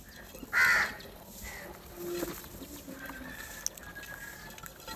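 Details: Crows fighting over food and calling for food: one loud, harsh caw early on, followed by a softer drawn-out call and faint distant calls over quiet background noise.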